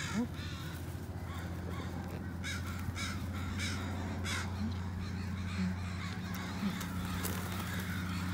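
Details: Northwestern crows heading to the Still Creek rookery, drawn down by calling; repeated rough caws from a flock, bursts clustered in the middle, over a heavy low hum of traffic.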